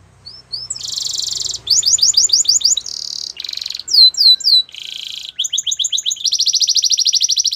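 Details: Varied canary song: brief whistles, then dense buzzy rolls, chopped trills, and clear downward-sweeping whistled notes, ending on a fast, steady, high trill.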